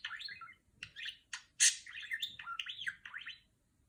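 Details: A female budgerigar, a pet, imitates the beeping of R2-D2 in its chatter: scratchy warbles, sharp clicks, one loud buzzy burst, then zigzagging whistled notes sliding up and down.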